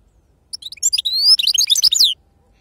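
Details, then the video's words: Short, dense phrase from a goldfinch in wild-type 'khalawi' style: rapid high tinkling notes with a drawn-out whistle and a closing downslurred chirp, lasting under two seconds amid silence. "أفضل تغريد بندوق حسون خلوي أصيل الله يبارك لصحابو ما شاء الله لغه خلوي أصيل سرفاتي"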